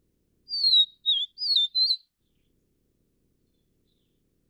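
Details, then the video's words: Vivid niltava of the Taiwan subspecies Niltava vivida vivida, while feeding chicks: one clear phrase of four high whistled notes, the first falling, the second dipping, the last two rising and falling, then silence. "黃腹琉璃-育雛/Vivid Niltava-Feeding chicks"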